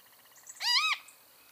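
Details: One brief, raspy, harmonic note from a great kiskadee, arching up and down over about a third of a second, with faint soft notes just before it.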